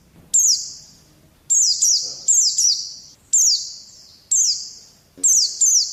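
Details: Oriental white-eye song from training audio for caged birds: shrill downward-sliding chirps, each ending in a long ringing fade, given singly or in quick runs of two to three, spaced about a second apart.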